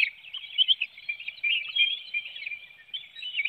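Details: Webcam at a Hanover, Pennsylvania bald eagle nest, morning of 9 June 2019, while an adult feeds a small fish to its young; nonstop thin, high-pitched twittering with brief louder squeaks.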